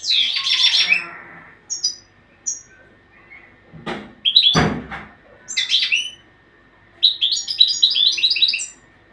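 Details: European goldfinch training song in scattered short twittering bursts, broken by loud knocks and clatter, with high tinkling notes and a faint background hum.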